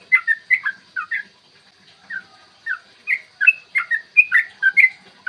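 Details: Yellow-vented bulbul giving a long 'ropel panjang' song in the morning, used as a lure to make other bulbuls sing and get agitated; clear chattering run of short bubbly notes, rising and falling, in quick bursts with brief pauses.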